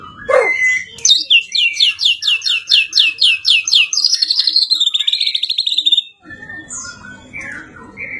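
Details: Champion competition white-rumped shama giving a long run of rhythmic descending high notes, about four per second, flowing into a rapid buzzy trill, then quieter scattered notes over background noise.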